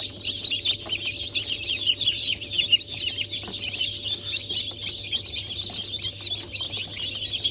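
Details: Dense chorus of newly hatched chicks from a 28 January 2024 hatch of Brahma, Sultan, Sussex and Wyandotte breeds, many high overlapping cheeps blending into continuous twittering, with a low constant hum beneath.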